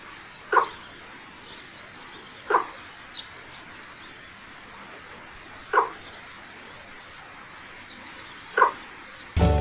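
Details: Cinnamon Bittern (Chestnut Bittern), Sri Lanka, lakeside, gives four short, low, hoarse croaking notes spaced two to three seconds apart, with a faint thin high note once and a click at the end.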